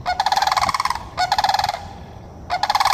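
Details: Sandhill cranes in Florida call with rapid, pulsed rattling trumpet notes, three bursts in three seconds, each a rolling series of beats with rich overtones.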